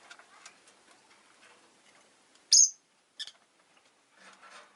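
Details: A single loud, shrill chirp stands out from quiet murmuring chatter of Rosy-faced lovebirds, five birds in a cage by a window on a winter day, followed by a weaker second note and more soft chatter.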